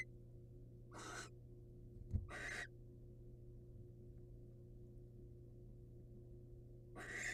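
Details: Wild barn owls, the male presenting prey to his mate: three short hissing screeches, two close together with a sharp knock between, then a long pause before the third, a low hum throughout.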